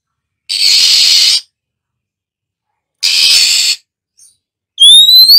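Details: Female Oriental magpie-robin hissing while stimulating other birds to sing: two long, harsh, noisy hisses about a second each, followed by a short loud rising whistle.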